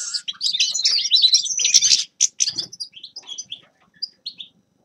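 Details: Grey-crowned goldfinch song: a rapid burst of bright twittering phrases for two seconds, then a few scattered chirps separated by short silences.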